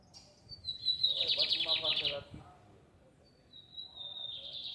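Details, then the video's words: A lined seedeater sings in a neighbourhood square in Fátima. A high whistled note leads into a dense, fast buzzy rattle lasting about a second and a half. After a pause comes another drawn-out whistle, over soft low background noise. "Bigodinho cantando na praça do bairro de Fátima!"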